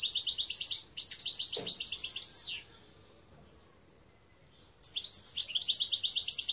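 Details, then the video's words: Song of a European goldfinch, recorded in 2021: dense, bright twittering with rapid trills lasting about two and a half seconds, a quiet gap, then the chattering, tinkling phrases resume. "Chant Chardonneret"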